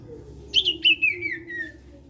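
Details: Sirtu singing to prompt other sirtu birds to join in: a quick cluster of bright chirps followed by a long, slowly falling whistled trill, with a steady low hum beneath.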